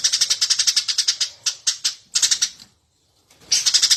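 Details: Lively singing of a Eurasian tree sparrow intended as a master recording for bird training: a long stream of rapid, high, buzzy chirps breaking into shorter groups, a brief silence, then a fresh burst.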